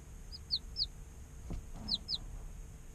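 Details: Five clear, separate peeps from day-old chicks, each a short, high note sliding downward, three early and two close together later, with a soft thud between them and a quiet steady hum behind.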